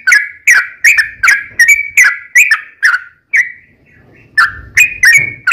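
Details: Rapid ropel-style song of a sooty-headed bulbul, used as a lure to draw replies from other bulbuls: a quick run of about ten bright, chirpy whistles, a short pause, then the run resumes.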